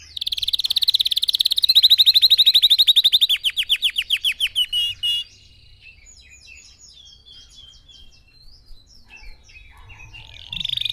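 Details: Red factor canary song, offered as training for other birds to sing: a loud rapid trill, a run of downslurred notes slowing in pace, then softer twittering and a brief warble at the end.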